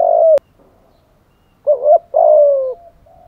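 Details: Spotted dove cooing as a lure, in the thúc gù and gáy gọi calling styles: soft, low, mellow coos, one short, then a wavering two-part phrase and a long, slowly falling coo.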